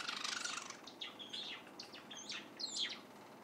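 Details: Young white Java sparrow, a mid-stage chick, secretly recorded practising its song: soft, quiet run of short chirps and scratchy notes, with a few brighter rising twitters near the end, over faint room hiss.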